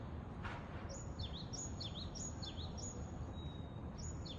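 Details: Japanese tit singing in Japan: high, sharp two-part phrases, each a quick downward-then-upward slurred note, repeated in a steady series about every half second, over a constant low rumble of background noise.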